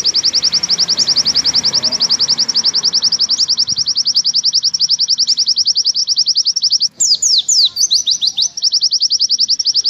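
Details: Long, clear 'nembak' song of an Oriental white-eye, recorded to tutor other birds: a high, even string of rapid chips repeated about three or four times a second, broken once by several loud sweeping whistles.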